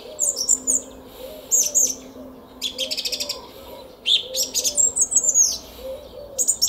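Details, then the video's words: Song thrush singing in a garden at 06:15 on 10 April 2021 at Szalkszentmárton: energetic high phrases with fast repeated note runs and whistles, over faint low sounds in the background. "ÉNEKES RIGÓ TRILLÁZIK A KERTÜNKBEN!"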